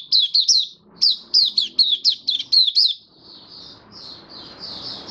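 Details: Caged white-eye after routine deworming and supplements, 18 May 2022, in 'buka sing' song: a quick run of sharp high chirps, then softer, smeared warbling notes over faint background hiss.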